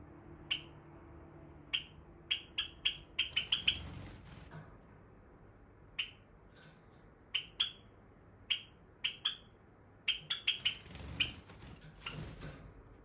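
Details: Indoor pet Java sparrow, lively at bedtime, giving bright clipped high chips in quick bursts of two to five, pausing between runs; rustling and room noise in the background.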